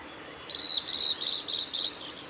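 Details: Male blue-and-white flycatcher at Kanazawa forest road, Lake Miyagase, Japan, 17 May 2020: a rapid run of high whistled notes in short repeated bursts, ending in a buzzy flourish.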